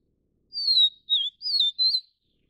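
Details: One clean song phrase from Taiwan's Vivid Niltava, Niltava vivida vivida: four high whistled notes, falling, dipping, wavering, then rising, with no other sounds.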